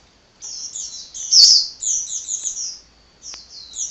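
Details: Hummingbird in lively nonstop song: a long, rapid string of thin, high chips and slurred squeaks running together, with one sharp louder click midway, a brief pause, then more twittering.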